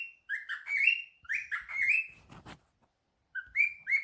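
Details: Answering a phone call, a pet cockatiel repeats rising, slurred chirps in quick pairs, then a short burst of rustling noise, a pause, and two more upward-curving calls.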